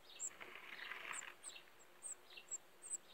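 Black redstart brood giving very high, thin peeping notes about every half second, with a brief soft rushing hiss early on.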